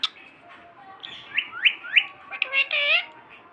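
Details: Pet parrot from Sindh talking: a few quick rising chirps, then a drawn-out, voice-like harmonic phrase, over a quiet background hiss.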